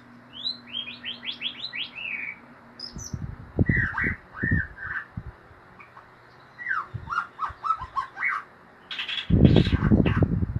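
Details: White-rumped shama in ngeriwik style: a rapid string of high rising notes opens, then sliding whistles and quick trills, with loud low knocking noises and a dense burst near the end.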